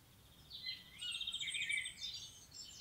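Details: Common blackbird in natural surroundings delivering a long tangled phrase of warbled whistles and high squeaky twitters, loudest in the middle, with light environmental noise underneath.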